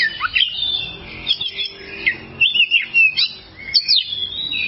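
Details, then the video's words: Oriental magpie-robin tutor song for training cage birds. Bright whistled phrases, quick slurred rises and falls, and scratchy notes alternate in short bursts with small gaps between them. "masteran burung Kacer durasi panjang"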